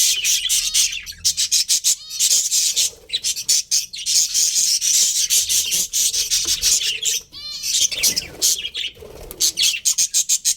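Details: Chattering budgies in a breeding colony make a rapid, rasping stream of high notes with a few clear whistled sweeps. A quiet moment falls near the middle before the chorus resumes at full strength.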